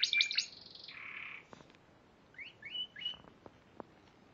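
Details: Spanish Timbrado canary, Piala Raja winner from March 2014, opens with a bright rapid trill and a lower buzzy roll. A quiet pause follows, broken by a few soft rising chirps and faint clicks.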